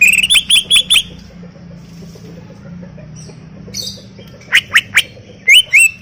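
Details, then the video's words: Greater green leafbird singing in full voice: two short bursts of four sharp, ringing whistled notes, separated by a stretch of quiet with low background hum. "Full Gacor 40 menit CUCAK IJO"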